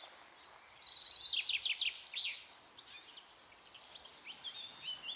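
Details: Goldfinch near La Croix-Tasset, Saint-Nicodème, Côtes d'Armor, Brittany, France, 13 June 2012. It sings a bright, fast twittering run of high tinkling notes and trills, then softer scattered twitters follow.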